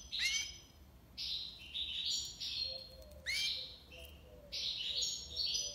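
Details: European goldfinch delivering tiwawati libassad song: repeated bursts of liquid twitters and buzzy notes, each group opening with a sharp rising slur, with faint soft lower notes underneath.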